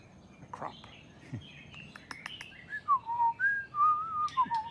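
White-rumped shama singing clear, fluty whistled phrases, some sliding down and others held level, after a quiet start with faint chirps and a few soft background noises.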